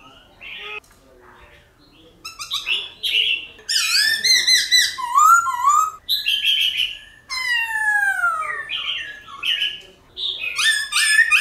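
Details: Silver-eared laughingthrush singing a varied wild-style song to encourage caged birds to sing: harsh harmonic chatter, bright slurred whistles, a descending series of nasal notes, and renewed chattering bursts.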